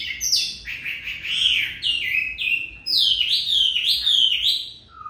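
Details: Oriental magpie-robin singing its long one-breath song: loud, melodious whistled phrases that slide down and then up, repeated in varied forms with short gaps between bursts.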